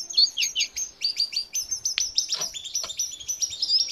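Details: Lively Jungle babbler song recorded to train caged birds: quick high chirps falling sharply in pitch, repeated in tight series, with a couple of brief lower clicks midway.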